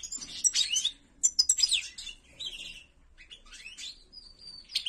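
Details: Ak gerdan, or white-throated, European goldfinch song from an owned bird: twittering bursts, a buzzy downslurred phrase, a short gap, then rising notes and a sustained thin whistle near the end.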